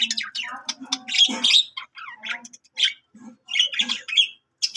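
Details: Budgerigar song made of bursts of scratchy chatter and sharp squeaky chirps. The bursts are broken by short silent gaps, with a few lower grating notes between the brighter calls.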